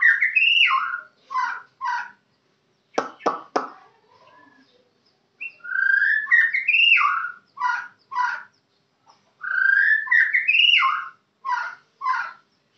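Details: White-rumped shama of the Kenyir type delivering rich whistled phrases that rise and fall, each followed by short sharp notes, with a burst of clicking in the middle and brief pauses between phrases.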